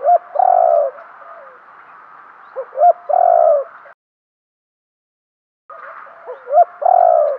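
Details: Spotted dove used as a decoy to lure wild doves: deep, rough-edged coos broken by short upward-flicking notes, in two bursts separated by a silent gap, over low background hiss.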